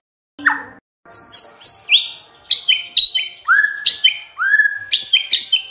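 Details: White-rumped shama singing to provoke other birds into answering, delivering clear whistled notes in short groups, downslurred pairs and upswept whistles repeated at a lively pace, each phrase sharply separated.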